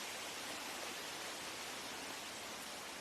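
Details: Even, broadband rushing like flowing water or a waterfall fills every moment, with no animal voice above it.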